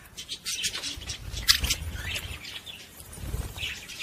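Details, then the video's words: Budgerigar song meant to stimulate females to mate: scattered high chirps and squeaky warbled notes, dense and irregular, with low rumbling background noise. "صوت تغريد طائر البادجي لتهيج إنات على التزوج بسرعة"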